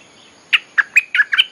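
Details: A bulbul sings a short lure phrase used to call wild birds, five fluty chirped notes rising and falling in a lively, bouncing pattern.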